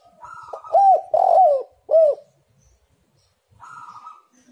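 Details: Lure recording for spotted doves: a quiet lead-in gives way to three strong, hoarse, arched coos in quick succession, then a pause before a softer, flatter hum of a note.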